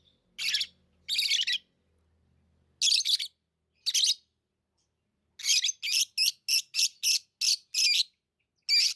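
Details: Lovebirds chirping: a few scattered harsh chirps, then a fast run of about ten sharp, rasping chirps in quick even succession, with a faint low hum early on.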